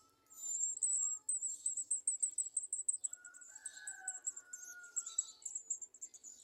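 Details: Garden sunbirds at a nest, searching a small jar for insects to feed their young; a fast run of very high, thin, ticking chirps goes on almost nonstop, with a softer, lower drawn-out whistle midway through.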